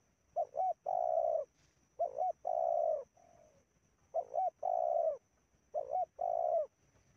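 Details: Indonesian wild-dove luring with a spotted dove of medium voice: four repeated phrases of a quick double coo followed by a long, even, mellow coo, a quieter trailing coo after the second phrase.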